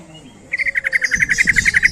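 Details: A yellow-vented bulbul gives a lure call to draw in other bulbuls: a steady, fast string of about twenty short, liquid chirps at one pitch, with faint rustling beneath.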